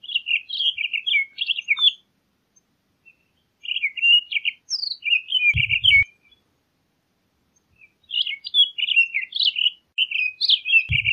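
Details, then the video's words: Townsend's solitaire repeating phrases of quick, chattering warbled notes in three runs separated by short pauses, with brief low thuds. "Townsend's Solitaire Song! Townsend's Solitaire Call! - Solitario Norteño Canto"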